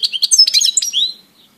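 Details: Brief European goldfinch twitter recorded 17 April 2018, a quick cascade of high tinkling chirps ending in a rising slurred note, then silence.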